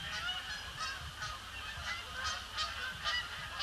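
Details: Canada geese arriving in great numbers on Boxing Day, circling the pond before they land under grey skies; loud, clustered honks stacked with harmonics, calls coming in rapid irregular bursts over a low background hum.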